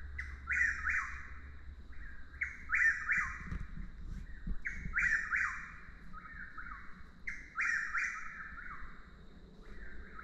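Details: Chuck-will's-widow in nonstop calling: whistled phrases with an accented middle and falling end, repeated about every two and a half seconds, with fainter higher notes above them, a steady high tone and soft low background noise.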